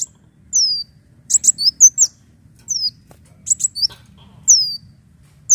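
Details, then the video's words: Leafbird lure song, used to attract birds: high, clear whistles sliding downward, mixed with clusters of sharp, crackly chips, in short phrases repeated about every second with brief pauses. No other sounds stand out. "PANCINGAN BUNYI KOLIBRI DAUN"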